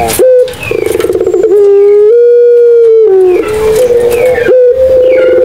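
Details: Cooing Barbary dove of the pelung variety from Madura. A quick pulsed rattle opens into long, level, ringing tones with slight drops in pitch, followed by more held notes. The recording is loud and slightly distorted.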